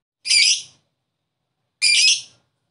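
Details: Lovebird sound meant to stimulate a lazy bird to sing: two harsh, high, rasping squawks about one and a half seconds apart.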